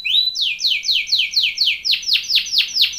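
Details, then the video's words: Canary, described as a Belgian canary, singing a training song: a rising whistle, then repeated descending swept notes falling from high to mid pitch, about five per second, giving way to sharper downward strokes near the end; quiet background. "BEST canary singing / CANTO CANARIO CANTANDO FOR TRAINING / CANARY TRAINING SONG"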